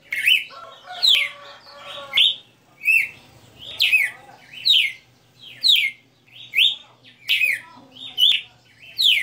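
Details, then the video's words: Red-cowled cardinal kept as a songbird, singing the 60-note style: a fast steady series of bright, downward-sliding whistled notes about once per second, with a brief harmonic chatter from another bird at the start. "Galo de Campina 60 NOTAS Cantando"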